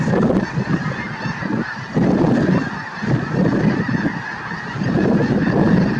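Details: Large flock of snow geese honking at Merced National Wildlife Refuge, 22 January 2023; overlapping nasal calls form a steady wall of sound that rises and dips in waves every second or two.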